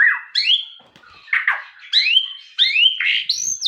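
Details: Singing white-rumped shama: loud rising whistles that swoop upward, repeated several times with short gaps, mixed with softer warbled notes.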